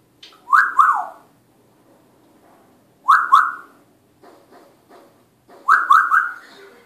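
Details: Pet African grey parrot said to speak Spanish; three loud whistled phrases, each a quick rising-then-falling double note, repeated about every two and a half seconds, with soft clicking sounds between them.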